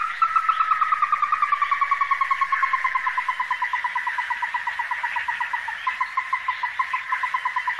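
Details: Ruddy-breasted crake, Taiwan endemic subspecies, at the Donggang River, Taiwan, 14 December 2023: a long, rapid trill of clipped notes that starts higher and gradually descends and slows over eight seconds, above a steady droning background.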